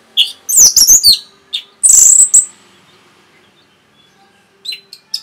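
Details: Rapid Orange-headed thrush song used to stir other birds into singing: loud, very high, scratchy chattering notes in quick clusters, a harsh rising burst, then a quiet gap and a few soft chips.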